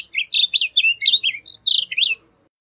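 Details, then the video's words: Blue grosbeak singing: a rapid warbled phrase of slurred, rising and falling notes, about ten connected syllables over two seconds, sweet and somewhat husky, with a clean quiet background. "Blue Grosbeak Singing - Azulillo Grande Cantando"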